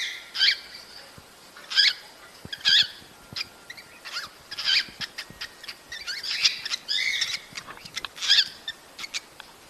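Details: Cockatiels calling to encourage mating: loud harsh chirps spaced about a second apart, with a cluster of shorter chattering notes and a brief whistled phrase midway.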